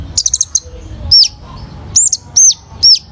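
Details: Kolibri ninja (sunbird) in energetic song: a few fast high ticks followed by a series of loud, sharp downslurred whistles spaced under a second apart. Faint hum in the background.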